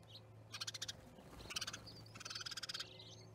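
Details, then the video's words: Starlings gathered at an osprey nest in Charlo, Montana, on 10/07/2019, giving three bursts of harsh, rapidly pulsed rattling chatter, each lasting under a second, over a steady low hum. "Starling Party"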